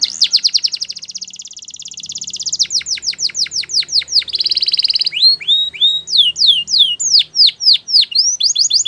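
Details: Canary in full song, alternating fast buzzy trills with rhythmic falling whistled sweeps repeated several times a second, a dense rolling second trill midway, then varied swooping notes.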